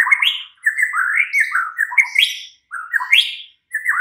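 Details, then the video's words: Night-time lure song of a White-rumped shama, meant to trigger a caged bird into answering and singing steadily. Fluid, varied whistles twist through rising and falling notes, with thin high chips overhead and short pauses between phrases. "Pancingan Murai batu MALAM HARI jadikan NYAUT GACOR dan NGEPLONG"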